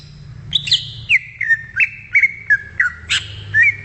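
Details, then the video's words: Wild greater green leafbird giving a series of sharp whistled notes, each dropping quickly in pitch, spaced roughly every third of a second, with a harsher burst near the end. "SUARA ASLI CUCAK IJO DI ALAM LIAR"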